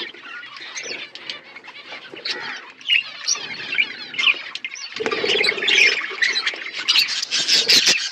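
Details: Budgerigar flock at winter food, chirping in irregular quick bursts that grow louder and busier in the latter half, with some fluttering wings.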